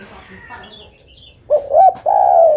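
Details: Faint murmuring opens, then a female spotted dove calls for the male with two short quavering hoots and one long, even, low coo.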